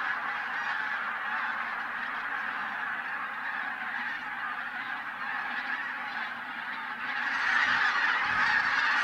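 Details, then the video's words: Over a thousand wild geese, bean and white-fronted geese wintering in Brandenburg's Teichland Linum, calling as they fly before sunrise. A continuous dense honking chorus swells louder near the end, with clearer high yelps standing out. "Wildgänse vor Sonnenaufgang im Teichland Linum (hundreds of wild geese before sunrise)"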